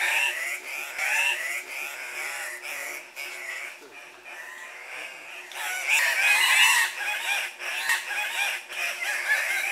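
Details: Andean cock-of-the-rock males calling together at a lek, competing for breeding females while bobbing and hopping: a dense chorus of harsh, overlapping squawks and grunts that swells louder toward the end.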